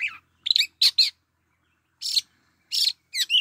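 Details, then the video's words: Oriental magpie-robin singing short, varied phrases of whistled and warbled notes, some sliding and some scratchy, separated by brief pauses. "Chích chòe than mồi"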